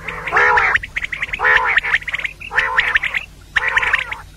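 A female common quail gives four harsh, nasal, gargling bursts, each ending in quick clicky notes, about one burst per second. No other clear sounds.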